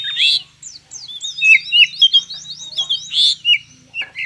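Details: Oriental magpie-robin 'konslet' song meant to stimulate lazy magpie-robins to sing: a strong opening note, a rapid series of rising sweeps over a steady whistle, then loud varied whistled phrases.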